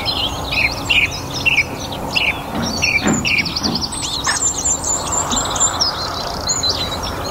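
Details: In a North Antrim garden on a warm spring evening, a song thrush sings short piping notes in quick repeated runs, with a brief low rasping sound near the middle and a dense chorus of high-pitched birds behind.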